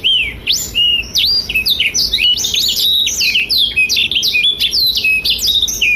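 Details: A Black-throated Canary, used as a song tutor for young and adult canaries, sings a fast, unbroken warble of high, sweet whistles, trills and slurred notes that rises and falls with no pauses.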